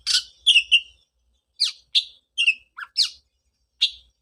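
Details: Oriental magpie-robin voice meant to draw song from a bird quiet after moulting: scattered short notes, a downslurred whistle and harsh chips separated by pauses, fairly soft.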